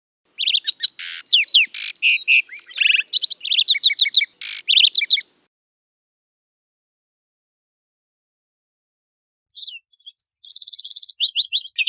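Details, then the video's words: Lark Sparrow (Chondestes grammacus) singing: a long, varied jumble of high buzzes, trills and clicking notes for about five seconds, then after a pause another burst of trills and buzzy notes. "Birds Singing - Lark Sparrow"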